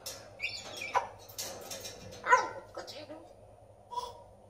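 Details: A red-tailed African grey parrot speaks in short, voice-like bursts of mimicked Spanish words, with a few squeaky clicks and whistles between phrases.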